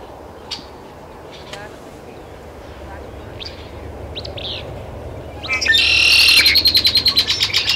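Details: Great-tailed Grackle in Taos, New Mexico, on 17 June 2017: a few faint clicks and chips, then a loud, harsh, rapid rattle of grating notes, about five per second, over a low background hum.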